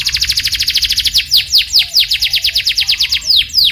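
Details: Canary lure song to prompt a canary to sing: fast pulsed high trill, then slower loud descending sweeps about every quarter second, then trilling again.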